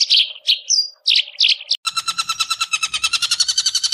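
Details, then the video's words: Long-tailed shrike in a full ngekek tembakan style masteran: varied short buzzy and whistled notes, then a fast harsh chattering series of repeated rasping notes, roughly seven per second. "MASTERAN BURUNG CENDET FULL NGEKEK TEMBAKAN"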